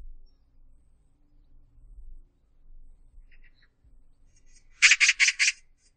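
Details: Magpie calling once near the end: a single harsh chattering burst of four quick rasping notes after quiet low rumbling and faint distant notes.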